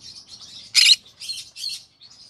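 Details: Green-cheeked conure in the evening giving high buzzy chirps around a louder harsh squawk burst, then two more raspy notes and soft chatter.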